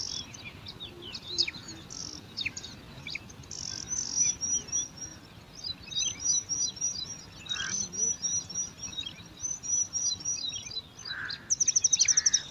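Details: Five bar-winged prinia chicks in an alang-alang grass nest beg competitively, a rapid string of high chirps about four per second, with thin whistles and a quick rattling burst of notes at the close.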